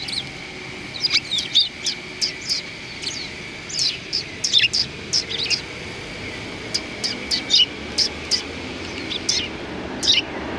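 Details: Sparrows gathered in front of a cultural hall in February 2020, calling as they greet; a long run of crisp, high chirps, roughly two or three per second, steady over a faint hum.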